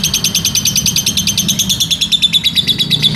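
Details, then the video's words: Short stretch of a lovebird's long ngekek trill, meant as a master recording for training other birds: evenly pulsed, fast, high chattering notes throughout with slight drift in pitch. "masteran lovebird ngekek panjang"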